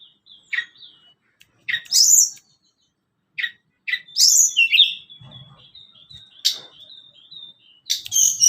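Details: Sunda Robin (tledekan gunung), a lure for training caged birds: high chips and rising trills, then a sustained thin whistled tone with sharp sweeping notes over it and a low faint rumble behind.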